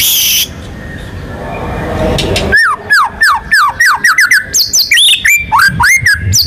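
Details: White-rumped shama singing in full gacor style with ngerol and nembak fill material, meant to prompt other birds to sing. A noisy stretch gives way to loud whistled notes, many rising then dropping, fired rapidly about three or four per second.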